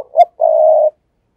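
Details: Tree decoy spotted dove luring other doves with a brisk coo: a short rising note followed by one long, steady, low mellow coo, then silence.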